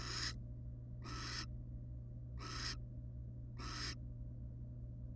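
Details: Wild barn owls, a mated pair beside their young at a nest box; four evenly spaced breathy hisses, each about a third of a second, roughly one per second, with steady low hum underneath.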